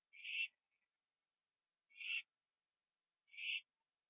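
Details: A single owl on a porch near 11:15 PM, 21 September 2011, finishing a gopher; three short noisy, hissing screeches evenly spaced about one and a half seconds apart in a silent background.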